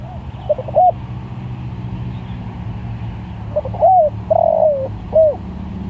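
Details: Spotted dove cooing to call other doves, short soft notes then a pause before a phrase of a rising coo, a long descending drawn coo and a final short note, over steady low background hum.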